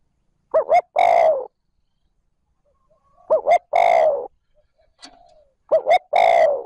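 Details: Spotted dove calling in the 'trơn ròng' style, used to lure and stimulate other doves. Three phrases about 2.5 seconds apart, each with two short, husky notes and then a longer, falling coo. Near silence between phrases, with one faint thin squeak.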